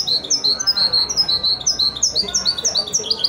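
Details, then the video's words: A mule hybrid of male goldfinch and female canary delivers wedani-style song, a lively string of sharp, high, evenly paced chirps repeated about twice a second throughout. "هجين ويداني روعة"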